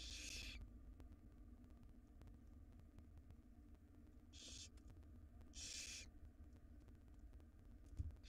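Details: Wild barn owl young beg in their nest box as the female feeds them a jird; one hissing burst opens, then after a long pause two more raspy hisses follow close together, above faint low hum.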